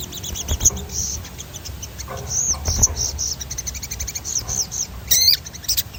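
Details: Sogon singing in rolling style, a stimulus song for training captive birds: high chirps and rapid trilled runs of short notes, with whistled slurs and a sharp burst near the end over faint low rumble.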